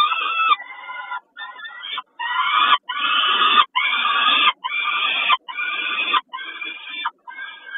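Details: Peregrine falcon at Kawęczyn, 20 May 2022, calling around a snack: about nine rasping, nasal wails of under a second each, spaced by clear short silences.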